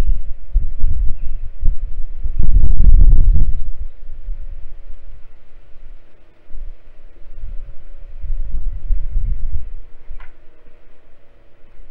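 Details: Low rumbling and thumping bursts, like wind or knocks against a microphone, over a steady hum, with no animal calls heard.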